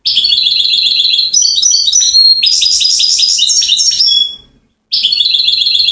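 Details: European goldfinch from Settat, Morocco, delivering near-continuous, rapid, high-pitched twittering: jingling stepped notes and dense trills running for over four seconds, a brief pause, then the song resumes.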